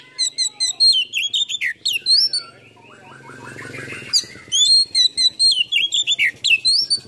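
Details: Oriental magpie-robin full song used as a lure to rouse silent or lazy birds, packed with varied mimicked phrases: rapid high whistled slurs and chirps, a brief lower warbling passage midway, then dense bright notes resuming.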